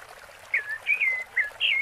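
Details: A rufous-bellied thrush sings its "Piedade Senhor" song, four clear, fluted whistled phrases, each slurring downward, in quick succession over a faint background hiss.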